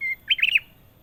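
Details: A ruby-throated bulbul (kutilang emas) opens with a flat sustained whistle, then rattles off four looping, liquid warbled notes in quick succession; song is clear and close.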